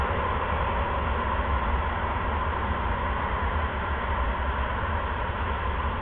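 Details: Constant hissing broadband noise with low rumble throughout, no animal sound.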